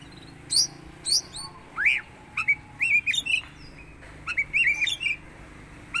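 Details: Oriental magpie-robin (kacer teler) making an odd sound: quick sequences of bright, rising and falling whistled notes and sharp chirps, grouped in short bursts with brief pauses, over a low background hum.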